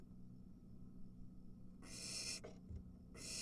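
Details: Barn owl at its nest as an adult arrives with a mouse and one of three nestlings quickly grabs the prey; two harsh, noisy hissing screeches, the second cut off at the end, over a low steady hum.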